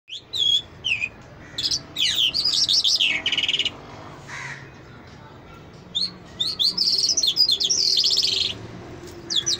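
A lark sings in rapid bursts of high, scratchy trills and chirps, run together almost without a break, with a low background hum.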